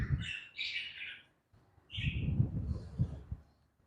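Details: Budgie chicks in a breeding colony setup: two short bursts of raspy, hoarse chirping chatter, separated by a brief pause, with low thumping and rustling underneath.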